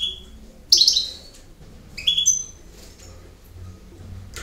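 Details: Goldfinch, campero song style: two separate bursts of bright, tinkling notes, one loud and one softer and rising, with short pauses and faint background hum.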